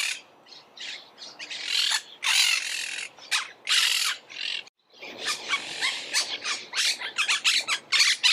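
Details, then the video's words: Several monk parakeets chattering and squawking, harsh scratchy notes overlapping in a busy flock chorus, a few longer rasping screeches, a brief silence midway, then rapid bursts of grating calls resume. "Canto de la Cotorra - Sonido de Cotorras - Audio De La Cotorra Argentina"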